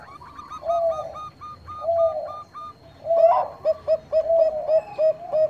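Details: Energetic Bangkok-type zebra dove song, meant to prompt rival birds into singing: a row of short higher clipped notes with low coos, then a rapid stutter of quick, evenly spaced low coos.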